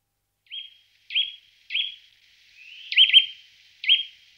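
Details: Eurasian nuthatch giving its loud, repeated "dwip" call: clear whistled, sharply upslurred notes, about six in quick succession, some doubled, in a quiet setting.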